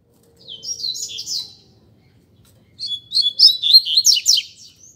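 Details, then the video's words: Double-collared seedeater in a singing contest between two birds: two bursts of high, fast twittering song, chirps sliding and jumbled, the first phrase short, the second longer and louder, with a quiet pause between. "Coleiro Disputa de Canto"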